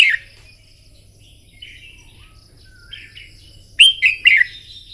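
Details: Morning fire-up song of a red-whiskered bulbul, used to train birds for contest singing. Faint chirps and short slurred whistles lead to a loud closing phrase of three rapid, bubbling notes.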